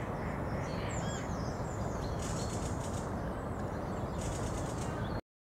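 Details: In a whitebeam tree with berries in Pearson Park, Hull, on 19/10/2013, a mistle thrush gives two dry, agitated rattling churrs as a flock of finches and tits descends, over a heavy low rumble with faint thin chirps.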